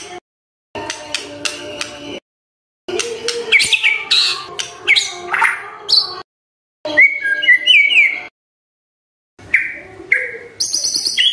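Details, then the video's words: Morning white-rumped shama song meant to trigger silent shamas: clusters of sharp, high chips and rasping notes in bursts separated by short silences, with a few whistled notes. "Pancingan PAGI PAGI agar GACOR❗❗ murai DIAM pasti respon LEBIH gacor❗❗"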